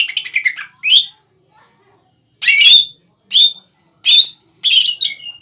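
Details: Untrained greater green leafbird in full song, used to goad a rival into replying: a dense opening chatter, then a gap, then separate bright whistled and chattering bursts about every second.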